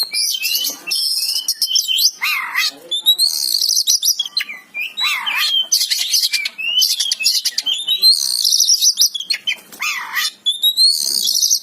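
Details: Oriental magpie-robin in full, vigorous song: dense bursts of high whistles and rapid chattering trills, with short dipping slurred notes between phrases, pouring out almost without pause.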